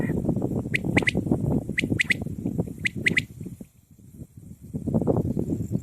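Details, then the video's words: Common quail during quail hunting, calling a sharp, liquid three-note phrase, repeated three times about a second apart, over a loud, steady low rumble of background noise. "Common Quail sound |Quail voice"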